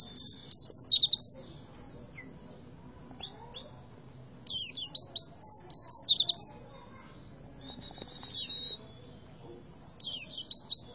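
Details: Oriental white-eye repeating tembakan phrases, four bursts of rapid high chirps and buzzy trills spaced by pauses of a few seconds, over a quiet low hum.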